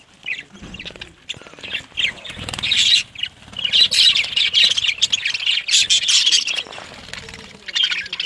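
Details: Colony of breeding budgies in Pakistan, a busy chorus of squawks, warbles and shrill chirps from many birds, building into a continuous loud chatter.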